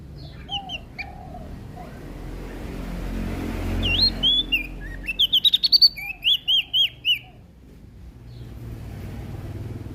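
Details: Energetic prinia song recorded in Lombok: soft low whistles first, then a burst of sharp, rapid high chirps lasting about three seconds before fading into steady low background noise.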